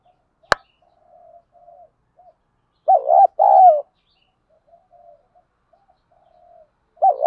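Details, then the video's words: Spotted dove decoy-training call: a sharp click early, quiet soft cooing, then a loud two-part coo midway and another starting at the close. "tiếng chim cu gáy tập bổi, chim cu gáy mồi thúc và gáy gọi(dùng kích bổi nhanh nổi)"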